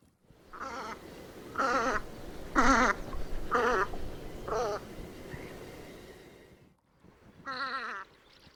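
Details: Velvet scoter at Liepāja, Latvia, in March 2024: harsh, rasping, wavering calls given about once a second in a run of five, then a pause and one more grating call, over low background rumble.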